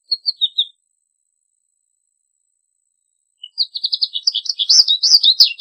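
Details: American goldfinch: a few quick twittered notes, a long pause, then a lively, rising jumble of bright warbling and twittering song phrases.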